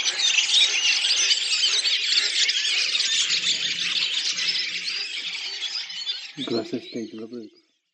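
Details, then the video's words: Redwing flock in communal song, Oka Nature Reserve, Russia, April 2019: a continuous high twittering chorus that thins out, joined near the end by a few lower harsh calls before the sound stops. "Белобровик Turdus iliacus, коллективное пение стаи / song of the Redwing flock"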